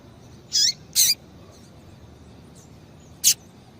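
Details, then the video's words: Female double-collared seedeater, a calling female used by breeders to stimulate and warm up males, giving three short, high, sharp chip notes: two close together, then a pause and a third, over a quiet background. "Fêmea de Coleiro piadeira Para Esquentar coleiro"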